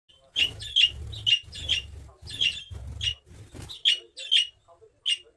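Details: A budgerigar in a cage gives quick, bright chirps in a steady run, about two each second.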